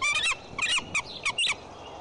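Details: Bald eagle mother guarding her nest with a chick at Decorah on 15 April 2012, scolding after the male flew off. A burst of five high, squeaky piping chirps in quick succession, the last two slightly more spaced, over soft wind.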